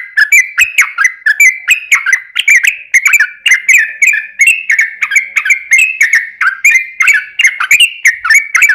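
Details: Yellow-vented bulbul; song; lure to provoke other bulbuls into singing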